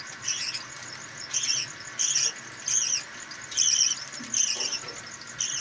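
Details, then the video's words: Aviary budgerigars feeding their five young: repeated scratchy, buzzing call bursts, around eight in under six seconds, each short and evenly spaced, with faint low rumbling behind. "Budgies Bird Feeding"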